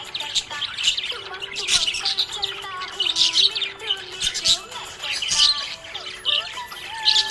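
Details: Happy budgerigar chirping: dense, scratchy high chatter with rapid warbles and clicks, steady throughout, over a soft melodic tune in the background.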